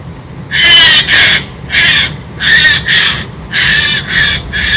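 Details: Eurasian jay scolding a squirrel on 16 November: harsh, rasping screeches, each about a third of a second, given in pairs or singly about every half to one second, loud and close.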